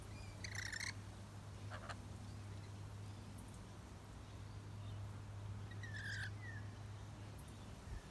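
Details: Rainbow lorikeet taking nectar from red flowering gum blossoms, Melbourne, January summer; two grating screeches near the start, a shorter note, then a rasping call later, over a constant low hum.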